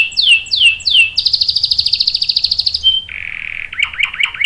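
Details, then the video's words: Long-rolling canary song, for luring and tutoring young birds: three swooping downslurs, then a fast high trill, a brief pure whistle, and a lower warbling chatter. "KENARI GACOR NGEROL panjang bagus untuk PANCINGAN dan MASTERAN paud | CANARY SINGING"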